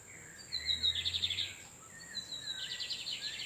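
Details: Lined seedeater males, called torniados, exchanging song in the wild while a female incubates nearby: background bursts of rapid, pulsed high trills, one around a second long, then another starting later, over a steady high insect hiss.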